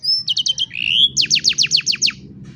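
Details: Canary song for young canaries in training: a brief pure whistle, a few doubled chips, a smooth rising slurred note, then a crisp trill of about eight evenly spaced descending notes; low room hum underneath.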